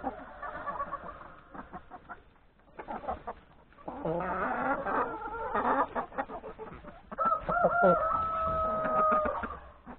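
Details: A yard flock of chickens, hens and three roosters, feeding at breakfast before going to forage in the forest; busy, irregular clucking, then a long, drawn-out rooster crow holding steady for about two seconds near the end.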